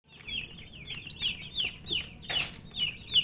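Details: Colour baby chickens, poultry chicks thirsty for drinking water, peeping in a rapid, uneven stream of short high downslurred chirps, several birds overlapping, with one brief loud noisy burst midway.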